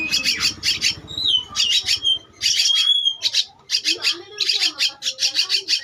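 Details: Two-week-old Javan myna chick giving harsh, raspy squawks in rapid clusters of short bursts, with brief pauses between groups and a few thin whistled notes mixed in.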